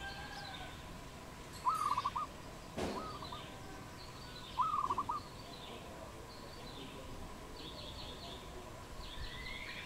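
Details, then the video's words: Dove calling in the wild in Cambodia on 22 April 2020, two rapid stuttering strings of cooing pulses about three seconds apart, with a thump, faint chirping birds and a continuous low hum. "Dove, นกเขา, Bồ câu | Wild Birds in Cambodia"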